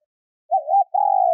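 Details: A female spotted dove gives a soft, low coo used to stimulate males: a short wavering note, then a longer steady hum that slowly falls. There are no other sounds.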